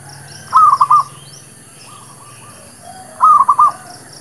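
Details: Zebra dove of the local kind in a lure song for trapping and for new birds: two short rolling coo phrases, with a fainter distant reply between them and scattered high chirps.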